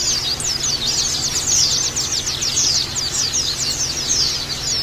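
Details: Oriental white-eye song used as a lure and training recording for caged birds: a dense, continuous stream of very high, thin, rapidly twittering notes over steady low background hum.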